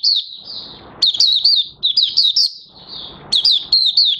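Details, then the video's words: Captive Oriental white-eye (Mata Puteh Raja) starting its song, 30 August 2022, its new white feathers almost fully pigmented. Smooth high warbled notes alternate with tight clusters of quick, bright chirps, with light hiss in the pauses. "Mata Puteh Raja Buka Sing"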